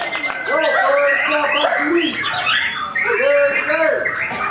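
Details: White-rumped shama kept in a cage, hung out for the first time since moulting as part of training, pours out looping, arched whistles and buzzy slurs in two bursts, loud and continuous, with other chirps mixed in.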